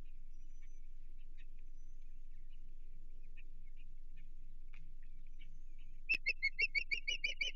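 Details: Osprey at a Chesapeake nest reacting to an intruder, 15 June 2023: after faint scattered chirps, a sharp burst of loud, rapid, repeated high whistled yelps in the last two seconds over a steady low hum.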